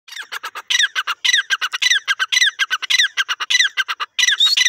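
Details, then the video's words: Young grey francolin giving a rapid, continuous series of short squeaky chirps, closely packed notes with a falling inflection, almost unbroken for nearly five seconds. "gora teetar patha ki lovely awaz"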